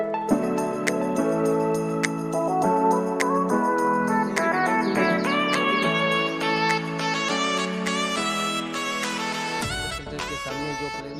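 Melodic instrumental music with steady harmonic tones and bright plucked accents plays throughout, with no animal sounds heard.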